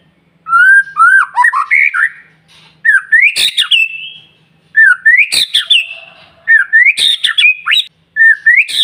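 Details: White-rumped shama singing persistently as a lure for other shamas: phrases of rising whistled notes broken by sharp clicks, repeated in bursts about every one and a half seconds with short gaps.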